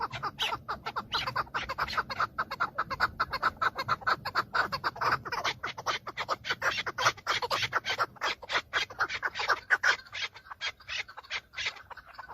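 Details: Chukar partridge males fighting and displaying for females during breeding season, filmed from a car: a dense, rapid stream of overlapping clucking chuk notes from several birds, pulsing steadily for the whole stretch with little pause.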